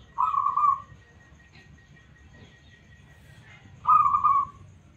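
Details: Local zebra dove with a smooth, responsive song, used as a lure to prompt other doves: two short, rolling, trilled coo phrases about four seconds apart, over a faint low hum.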